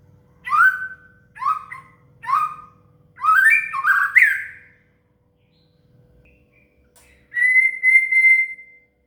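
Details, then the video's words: Shama (murai) song used to teach a cililin: several repeated upslurred whistled phrases about a second apart, building into a busier burst, then a long steady pure whistle, with a soft low hum behind. "SUARA MURAI"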